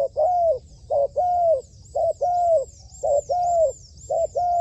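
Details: Trained decoy spotted dove used in dove trapping, cooing: a short note followed by a longer, level, mellow coo, the pair repeated about once a second at steady pitch, with faint high thin tones running above.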